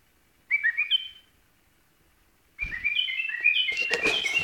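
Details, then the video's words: A white-eared bulbul sings short, liquid whistled phrases, bubbling up and down in pitch; a second run of notes is joined by rustling and low rumbling noise. "White-Eared Bulbul Song"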